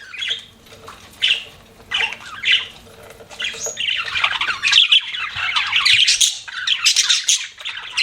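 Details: Pet budgerigars give a few spaced squawky chirps that build into a sustained, busy warbling chatter.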